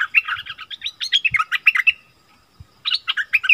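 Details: Striated bulbul, wild birds arguing fiercely, recorded 8 February 2021: fast run of loud chattering, warbled notes and quick whistles, a brief pause near the end, then another burst of chatter; a couple of soft low thumps.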